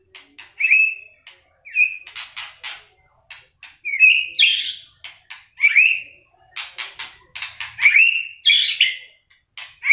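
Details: A white-rumped shama trained for song contests sings hard with its tail flicking: sharp clicks and ticks alternate with short, loud whistled and warbled phrases.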